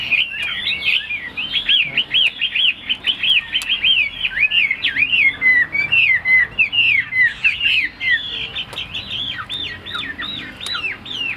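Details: Chinese hwamei, a tame cage bird, repeats short sharp whistled notes in long quick series, roughly a note every half second, switching midway to twisting slurred phrases before resuming the repeated notes.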